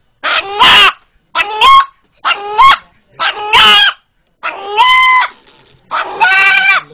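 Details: A pet rooster with unusual teeth gives six loud, harsh two-syllable squawks, about one each second, rising sharply then holding a strained nasal pitch; it calls like this when frightened, which locals compare to "Allah Allah".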